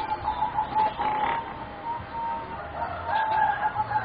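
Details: Four young competition-bred singing zebra doves, roughly 3.5 to 4 months old, give rolling trilled coos at an even pitch, broken by short pauses, with occasional soft rustling thuds and a constant low hiss behind.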